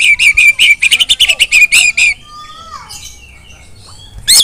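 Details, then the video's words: Female Oriental magpie-robin calling to rouse other magpie-robins into full song: a fast series of about a dozen sharp, scratchy notes over two seconds, then faint thin whistles and a final harsh burst. "memanggil KACER lain agar ikut GACOR dan NJERIT // KACER BETINA"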